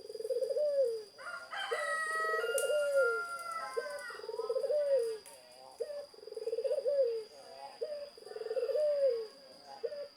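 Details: Zebra dove singing repeated phrases about every two seconds, each a quick trilled stutter swelling into an arched low coo, while another bird adds brief higher whistles near the start.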